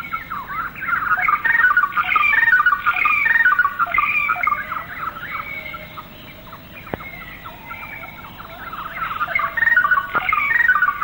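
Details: Greater racket-tailed drongo from an old Malaysian rainforest recording made around the late 1950s, varied ringing whistles and bell-like notes sliding between pitches in busy phrases, a quieter patch midway, then loud again toward the end.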